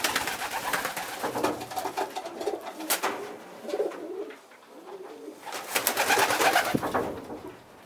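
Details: Young pigeons indoors, a small underdeveloped youngster feeding bigger, well-developed young pigeons; soft low arching coos come and go, mixed with broadband rustling and flapping bursts and sharp clicks.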